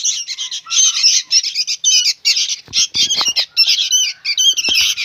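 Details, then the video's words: Young sooty-headed bulbuls making a racket: rasping, buzzy squawks in thick overlapping bursts, a short break around the middle, with a few clicks and knocks among the calls. "SUARA BURUNG ANAKAN KUTILANG PALING RIBUT BERBUNYI"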